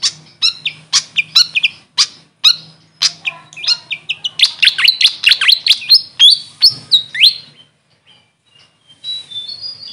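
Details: Grey fantail, locally Maria Capra, giving spaced sharp chips that quicken into a dense squeaky twitter, then fade to a few faint thin notes.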